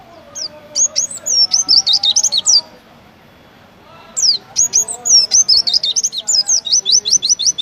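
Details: Oriental white-eye, a competition singing bird, in a rapid high twittering song of sharp chirps and trills, delivered in two dense bursts separated by a short pause, with faint lower warbling and background hum.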